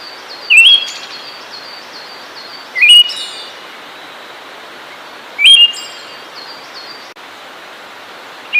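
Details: A Siberian thrush sings four separated phrases, each a rising whistled note with a sharp high buzzy tail, repeated every two to three seconds. Another bird's thin, stepped, repeated notes sound faintly in the background over constant hiss.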